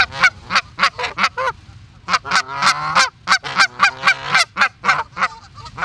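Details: Osprey in Charlo, Montana, USA gives a rapid run of sharp, whistled chirps, about three or four a second, in uneven bursts with brief pauses between.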